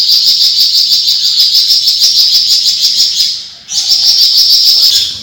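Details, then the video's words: Long 'besetan' chatter of a Javan fulvetta, used for tutoring other cage birds. A continuous, high, fizzing rattle of fast notes runs over three seconds, dips briefly, and returns for nearly two more seconds. "FLAMBOYAN GACOR BESET PANJANG"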